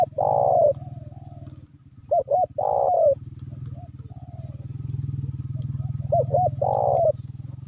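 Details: Spotted dove lure call used to draw in wild birds: three phrases, each two short hooked notes followed by a long, burry, slowly falling coo, with softer faint coos between, over a steady low mechanical hum.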